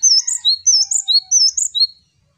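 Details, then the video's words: A male Java sparrow sings high, sweet chirping phrases of quick slurred notes, repeated three times in about two seconds. "Burung Gelatik Jantan Gacor, Wucit wucit...."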